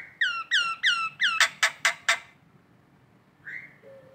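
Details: Morning calling of a collared kingfisher in Indonesia: seven or eight loud, harsh, descending notes in quick succession, then a pause and a faint softer note.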